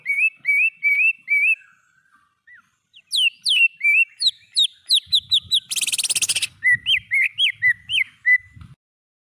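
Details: Greater green leafbird song from a training recording for cage birds, with pauses: a varied run of repeated rising whistles, sharp high slurred notes, a brief harsh buzzy burst, then more looping whistles.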